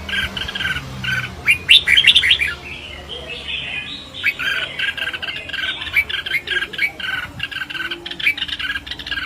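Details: Red-whiskered bulbul singing competitively amid a dense, slightly harsh chorus of chattering, squawky notes and fast warbles running almost continuously.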